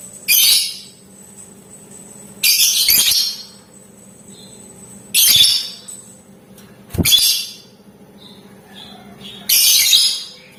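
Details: Lovebird in vigorous singing form, ngetik ngekek style, used to provoke other lovebirds into answering: five harsh, buzzy high shrieks, each about half a second, spaced roughly every two to two and a half seconds, with quiet gaps.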